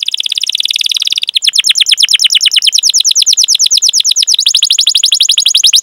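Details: Rolling canary song, the 'cuit cuit' type used as a lure to train other canaries: a buzzy trill breaking into a long unbroken stream of fast, high descending notes.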